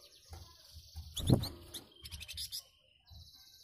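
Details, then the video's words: A flamboyan bird responds to other birds' calls with its characteristic dense, coarse song: quick, high chirps and short twittering bursts in a few rapid clusters, over a low rumble, knocks and background noise. "BURUNG FLAMBOYAN RESPON SUARA BURUNG LAIN.LANGSUNG NYAUT DENGAN KICAUAN KHASNYA"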